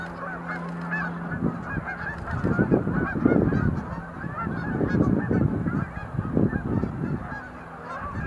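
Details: Several Sandhill cranes performing display leaps and dancing at the Montezuma National Wildlife Refuge visitor center, November 2020. A dense, overlapping chorus of rolling, rattling calls is punctuated by louder low bursts, over a steady low hum.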